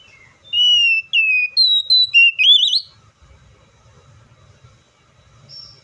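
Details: Oriental magpie-robin giving a fast run of loud, pure whistles: a long falling note, then clipped higher notes and a quivering upward flourish. Quiet low rumbling follows after the phrase ends.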